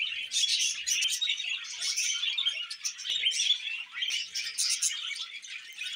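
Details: Budgerigars chattering nonstop: dense, high, scratchy chirps and warbles overlapping, with brief louder bursts of squeaky tweets every second or so and no other clear sounds.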